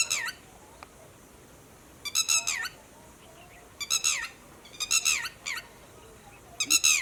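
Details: A red-wattled lapwing gives loud, shrill, harsh alarm notes warning companions of human movement, in quick bursts of three or four, repeated every second or two, over quiet background hiss.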